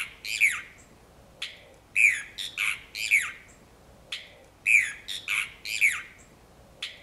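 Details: A single brown cacholote (Pseudoseisura lophotes), Reserva El Tabaquillo, Merlo, San Luis, Argentina, 22 August 2012, gives loud, harsh squawks in clusters of two or three, each falling in pitch, repeated about every second against a quiet background.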